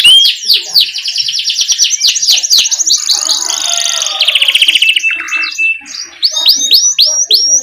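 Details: Canary rolling song for luring young canaries into song: rapid falling whistled notes, a steady high trill, a buzzy rattle, then more down-slurred whistles repeated quickly.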